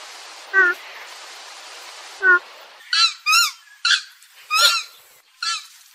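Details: Purple swamphen: two short, thin squeaky notes over a hissing background, then a burst of five louder, nasal, hoarse squawks spaced irregularly about half a second apart.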